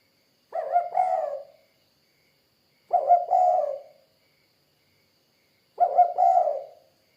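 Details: Spotted dove calling three evenly spaced cooing phrases, roughly every two and a half seconds, each a clipped double note and a drawn, fading low coo, background otherwise quiet.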